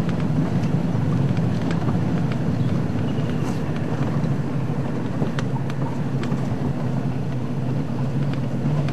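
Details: A steady low rumble of a car driving at sunset fills the recording, with faint clicks and no animal calls.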